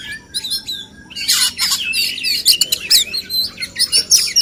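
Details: Male oriental magpie-robins in a singing contest meant to make them sing more and reveal mimicked phrases; after a quiet first second, dense bursts of high, sharp chirps and whistles, overlapping and uneven.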